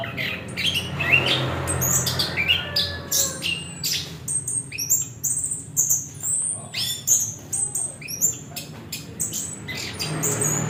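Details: Orange-headed thrush with a long, varied high-pitched song of sharp whistles, buzzy chips and quick slurred notes, packed closely together in an energetic, continuous stream over soft low background hum.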